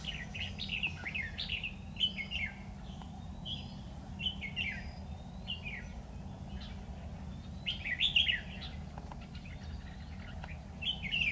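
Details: Red-whiskered bulbul recorded during a bulbul trapping session on 12 September 2019: bright, quick warbled phrases with sliding whistled notes, given in short bursts every second or two, over a steady low rumbling hum throughout.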